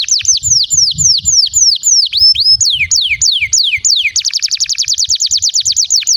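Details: Singing canary, recorded as a lure to make silent canaries start singing and to tutor young ones: a run of loud downward-slurred whistles, a few rising notes, then a rapid, even trill of short high notes.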